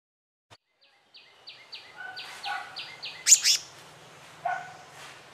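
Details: Black-naped monarch, male and female at the nest: a run of about eight thin, level, high whistled notes, growing louder, followed by two harsh rasping bursts and a later softer note.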